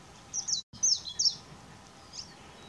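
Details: A female Palila foraging on Hawai'i's Big Island at 7:13 am on 20 July 2015 gives brief high chirps, a few short bursts around half a second apart, then a fainter note, over steady background hiss.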